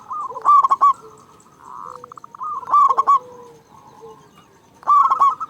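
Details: Loud local zebra dove used to goad quiet doves; three strong clipped coo bursts about two seconds apart, each a fast stutter of notes, with fainter cooing between.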